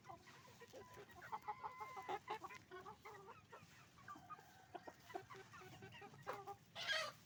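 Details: Chicken farm with roosters and hens calling together, many overlapping clucks and brief cackles, one long flat tonal note early on, and a sharp loud squawk close by just before the end.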